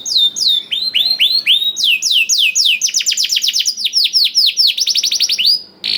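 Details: Lure recording of a canary singing a black-throat-style song to prompt other canaries: series of descending whistled sweeps, slow at first, then a fast rattling run, more sweeps and a brief buzz at the end.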